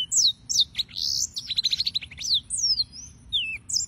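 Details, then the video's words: Yellow-fronted canary song (Serinus mozambicus) from several singers: sweeping high whistles that break into a rapid trill of short repeated notes mid-phrase, then slide into falling slurs. "Suara Burung - (Serinus Mozambicus) White-tipped Green Singers Singing"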